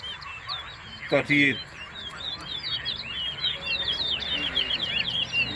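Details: Towa towa (large-billed seed-finch) in a singing competition, West Side, Guyana. After a sharp thud and brief voice, a fast, continuous stream of thin, twisting whistles builds steadily.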